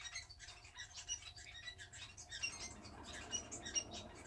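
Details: Indoor pair of society finches sitting pressed together, grooming after a bath: sparse, thin, high whistled peeps and brief twittering notes with light feather rustle and a steady low hum.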